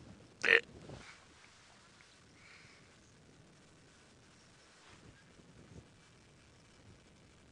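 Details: A near-silent outdoor scene broken by one sharp knock near the start, followed by faint rustles and soft wind.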